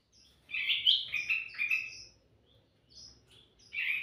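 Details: Vigorously singing sooty-headed bulbul, used as a lure: a chattering string of loud, throaty, wavering notes, a brief lull with faint chips, then a fresh rich phrase.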